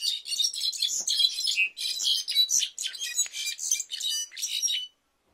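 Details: Mexican goldfinch singing a clarin-style song, a continuous, fast, high twittering warble of trills and sharp chirps lasting about five seconds before stopping abruptly.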